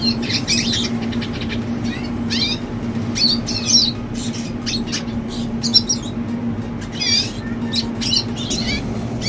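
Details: Juvenile red siskin song made of separate sharp, high chirps and rapid sweeping notes that come in short clusters, over a low steady hum.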